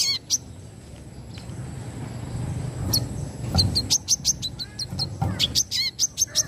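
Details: Brown-throated sunbird singing in the 'wiceh' style: a few isolated high chips, then a fast burst of thin, piercing notes repeated about three per second toward the end, over a low constant hum.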